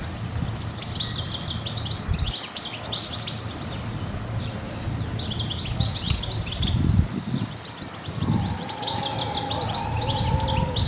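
Corsican goldfinch song: a busy, high twittering of rapid trills and tinkling notes, running almost without pause over a low outdoor rumble and a steady hum near the end.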